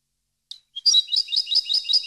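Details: Goldfinch song for training caged birds: after two thin introductory notes, a steady series of bright, repeated twittering notes, about five per second, high and tinkling.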